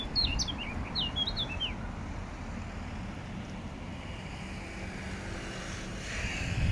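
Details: Eurasian blackcap singing in Regent's Park, London: one short, rich phrase of clear fluty notes sliding downward, under two seconds, then silence over a steady low traffic rumble.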